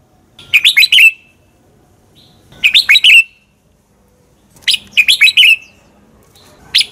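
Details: Red-whiskered bulbul singing a fighting song used as a lure for training caged birds: loud, bubbly phrases of four or five quick whistled notes near mid-high pitch, repeated about every two seconds with quiet gaps between.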